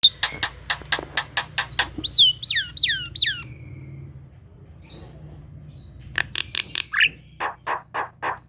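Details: Javan pied starling, a caged bird prompted in the morning to sing at home, giving a series of harsh broadband clicks, then four descending whistled slurs, a pause, and more rapid raspy chattering notes.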